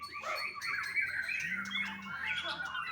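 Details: Caged young white-rumped shama in Bali delivering a busy tumbling song of slurred whistles and chattering notes, with a single low steady hum rising briefly beneath it partway through.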